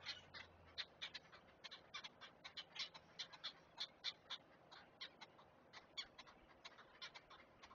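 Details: Great blue heron chicks at a Chesapeake Conservancy nest, filmed on a live nest camera while being fed: a fast, uneven run of dry, clicking ticks, about four a second, with no other clear sounds.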